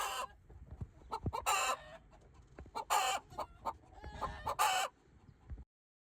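Chickens clucking in short, uneven bursts of harsh, mid-pitched notes, several loud clucks over a few seconds before it stops.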